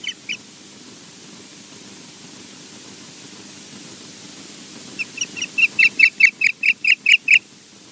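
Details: An osprey at Loch Garten, Scotland, gives a couple of faint chirps, falls silent for several seconds, then builds into a loud series of about a dozen sharp, whistled notes, steadily rising in volume.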